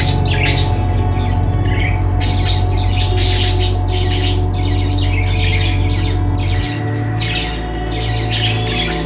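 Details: Budgerigars in a pet store chatter in quick, scratchy bursts of chirps and squawks over a steady low hum.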